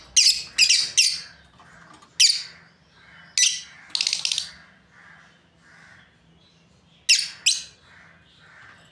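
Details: Breeding pair of lovebirds, likely caged, giving loud, sharp, high chirps and squawky bursts in short clusters of two or three, with pauses of about a second between groups, against a faint steady hum in a small room.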